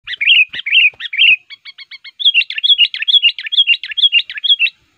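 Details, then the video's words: Sooty-headed bulbul used as a lure to attract wild males in the forest, singing aggressively: quick repeated whistled phrases, a brief run of short clipped notes, then a long fast series of bright rising-falling notes. "Luar Biasa Burung Kutilang Pikat Ngamuk,Gacor Aktif Menekan Lawan"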